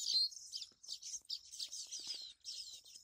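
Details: Baya weavers (Ploceus philippinus) chattering together at a tree holding more than 50 of their nests, built in the monsoon season: a dense run of high, wheezy, buzzy chirps in overlapping bursts with no pause between them.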